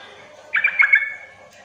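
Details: Sooty-headed bulbul lure call, played to provoke untrained bulbuls that rarely sing into answering: one short bubbly, chattering phrase of quick warbled notes lasting about half a second, over a steady faint background hum.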